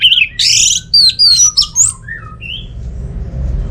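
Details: Orange-headed thrush song played to prompt idle birds at home to sing: a harsh buzzy note followed by quick whistled slurs, sweeping up and down, then a lower whistled trailing note over low hum.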